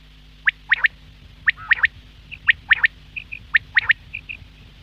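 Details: Quail calling, offered as a morning call: sharp whistled notes in quick three-note phrases, the phrase repeated about once a second, with softer short notes between phrases and a steady low hum underneath.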